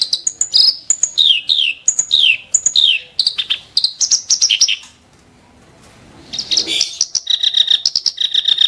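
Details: Harsh, sharp song from a clamorous reed warbler used as a tutor bird: repeated descending slurred notes and chips, a quiet gap, then dense grating churrs.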